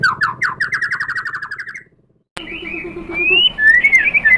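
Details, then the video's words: Goaded white-rumped shama singing back with copied material: a rapid series of buzzy notes sliding gradually upward, a short silence, then a low pulsing trill under long high sweeping whistles. "MURAI BATU GACOR memancing EMOSI jadi NYAUT BONGKAR MATERI ISIAN"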